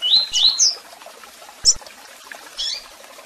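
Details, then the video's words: Double-collared seedeater, tui tui song with chirps and calls: a brief cluster of bright rising whistles at the start, followed by isolated sharp chips and a muffled call. "Canto de Coleiro Tui Tui Com Piado e Chamados"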